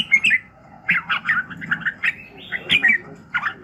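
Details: Red-whiskered bulbul singing in the morning, short bursts of liquid, warbled notes, some rising then falling, repeated in quick groups with brief pauses, over a faint steady hum.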